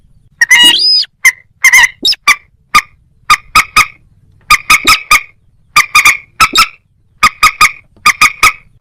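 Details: Moorhen calling: short, hard, clipped notes in quick clusters of two to four, repeated steadily, with a drawn-out harsh squeal near the start; otherwise quiet background.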